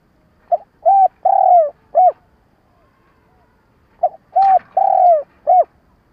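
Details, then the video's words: Stuttering lure-bird cooing of a spotted dove kept to attract wild doves for trapping: two phrases about three seconds apart, each a quick hiccup note, two mellow coos and a short final coo. "Tiếng cu gáy mồi cà lăm gù - gáy - thúc kích bổi nhanh nổi"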